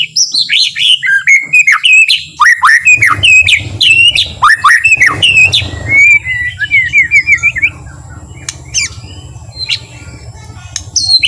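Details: White-rumped shama delivering a calm, gentle song used to lure other shamas into song and excitement. Loud varied whistles swoop and slur for eight seconds, ending in a quick chattering run before fading to faint scattered notes.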